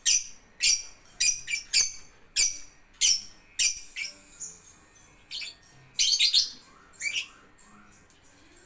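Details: Lovebird singing ngetik style: bursts of high, scratchy chirps repeated roughly every half second, then looser clusters of sharp ticks and rising squeaks.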